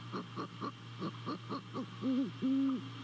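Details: Great horned owl appearing at its nest in Savannah in the early hours of 28 December 2020: a string of evenly spaced soft short notes builds into two deep, drawn-out hoots, the second longer, over a faint constant hum.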